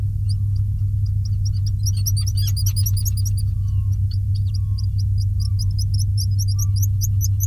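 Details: At a burrow on Seal Island, Maine, USA, on June 30, 2021, Black guillemot parents bring fish to their chicks. Their high, thin peeping whistles repeat roughly twice a second, with a brief denser burst, over a constant low hum.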